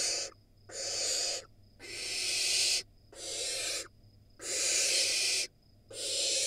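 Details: Barn owl nestlings, wild, in an Israeli nest box, scream at a sibling that has reached the entrance: a rapid series of loud, broad, hissing screams, each around a second long, coming back to back with brief silent breaks.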